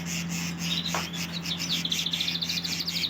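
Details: Domestic canary singing: a few high thin notes, then a fast rolling trill of evenly repeated short high notes building toward the end, over a steady low hum.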